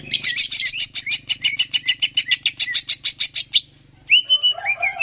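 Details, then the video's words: Greater green leafbird song aimed at stimulating birds to sing: a steady run of rapid repeated chattering notes for over three seconds, a brief pause, then clear whistled downslurs, with a faint low hum beneath. "PANCINGAN CUCAK IJO GACOR, AMPUH BURUNG MAKIN SEMANGAT UNTUK BUNYI DAN GACOR"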